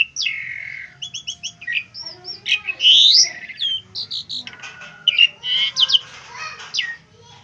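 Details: Asian pied starling singing as a training recording for other birds: long descending whistle, then a run of repeated short notes, loud harsh grating phrases and varied chattering whistles, fairly continuous.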